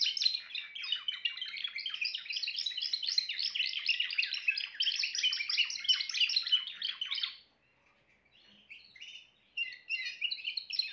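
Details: Timbrado canary delivering a long rapid trill of dense repeated chirped notes for about seven seconds, then a short silence and softer scattered chirps and trills.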